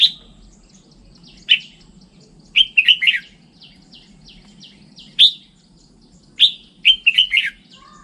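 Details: Red-whiskered bulbul song with a single sharp whistle, then quick clusters of bright slurred notes falling in pitch, repeated after pauses of two to three seconds, soft faint notes between, and a low hum underneath.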